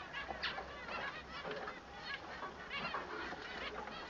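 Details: Male Bengalese finch singing, sung to tell it apart from the female: dense runs of nasal, buzzy harmonic notes, rapid and chattering, with short louder bursts around one and three seconds.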